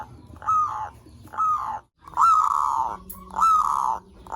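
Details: Lure recording of zebra dove song meant to stimulate other zebra doves: four drawn-out cooing notes, each starting with a brief upward lift, arriving about once a second with short gaps between them.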